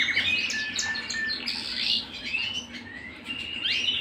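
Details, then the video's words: Canary singing at home, a varied sequence of short whistled slides, chirps and brief trilled bursts with small pauses between phrases. "canary bird - canary singing - canary sounds - canary singing at home - beautiful canary birds"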